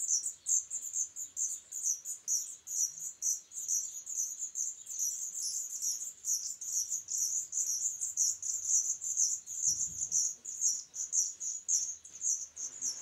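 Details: Black redstart nestlings of a third brood, 21 July 2012, give thin, very high chirps running on without pause, about two a second, overlapping into a steady shrill chatter, with faint low rumbles underneath.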